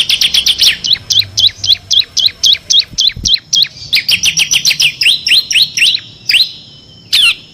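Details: Bar-winged prinia in lively 'ngebren' song, six variations, meant to teach competition songbirds: a long, even rattle of high, sharp, hooked notes, roughly four a second, changing to slightly lower slurred notes before a final pair.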